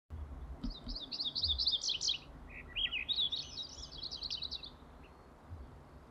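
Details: Calliope hummingbird at Glacier National Park, puffing up to show its purple and green throat feathers, gives two bursts of very high, thin, rapid twittering chips, each about one and a half seconds long, over a low background rumble.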